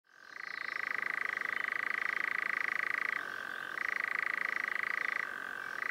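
European nightjar churring: a long, dry, mechanical trill that runs on without a break, dropping slightly in pitch for a moment and then rising back.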